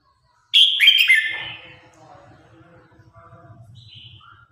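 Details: Red-whiskered bulbul singing in competition, calling the flock: a loud burst of quick, chattering whistles trailing off, with a steady low rumbling noise underneath and a faint distant note at the end.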